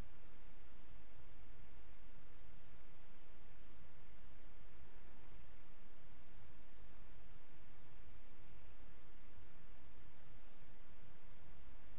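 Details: Only a steady, featureless hiss of background noise is heard, with no animal calls.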